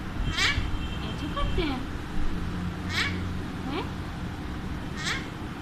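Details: Pet Alexandrine parakeet talking to a mirror. Short, harsh, harmonic calls come at about half a second, three seconds and five seconds, with smaller chirps between them, over a steady low indoor hum.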